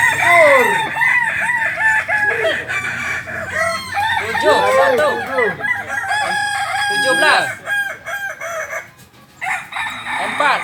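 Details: Several Kokok Balenggek roosters from Solok, West Sumatra, crowing almost continuously, a dense tangle of fast, stuttering, arched syllables rising and falling, with one brief lull near the end.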